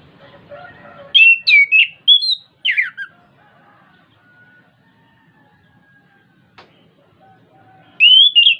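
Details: Orange-headed thrush song, a bird of Southeast Asian forests, played to prompt a caged bird to sing: bursts of loud varied whistled phrases, then quiet, then another loud phrase.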